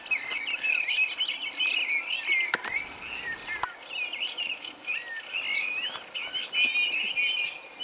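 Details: European robin being freed from a Japanese mist net at the Goumbaritsy bird-ringing station on Lake Ladoga, Russia; warbling, twittering phrases around the middle-high range run on continuously, with sharp clicks and rustling from handling.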